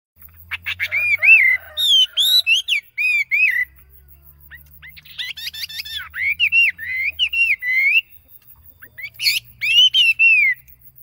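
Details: A decoy songbird, locally called the yellow phua, sings well: bursts of rich whistled phrases with sliding, warbling notes and sharp chips, separated by short pauses, over a faint low hum.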